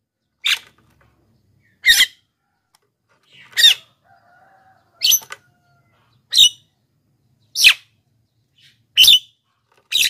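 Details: Javan myna recording meant to draw wild birds and spur lazy singers: a steady series of eight loud, grating squawks roughly every 1.3 seconds, with a soft low whistle midway.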